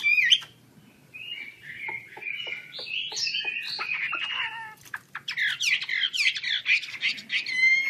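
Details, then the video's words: Chinese hwamei song, quieter: a sharp opening note, then sustained warbled whistles and a loud burst of rapid harsh trills near the end. "KICAU HWAMEI"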